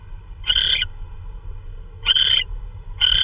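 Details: March 16, 2013, 3:12 AM: an owl brings in prey, maybe a vole. Three scratchy, hissing screeches, the gaps roughly a second and a half, with steady low-pitched hum underneath.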